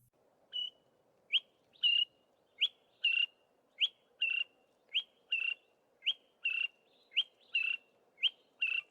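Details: A Greater Honeyguide gives a loud, ringing two-note phrase, a higher note then a fuller one, repeated about every second over a faint steady hum.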